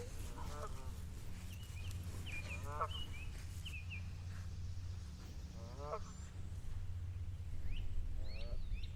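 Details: Geese at Guthrie Smith Park, Fayette, Alabama, giving rough, nasal honks every two to three seconds with thinner higher calls between, over steady low wind rumble and a person talking; goose.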